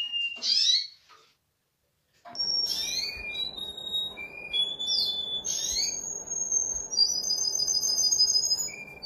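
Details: A canary, described as a Russian canary, sings high, bright whistled phrases, clear trills and sustained piping notes that rise and fall, after a brief silence, over a steady low background hiss.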